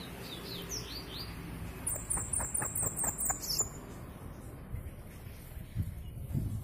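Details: Bananaquit giving a thin, high buzzy run of rapid notes, partly masked by a string of sharp tapping clicks and low background hum.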